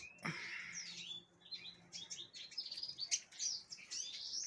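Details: Captive-bred Black-throated canary (Angolan singer) hatched 6 December 2023 sings a fast, high run of sweet twittering notes and thin trills, bright and continuous, with a faint low hum underneath.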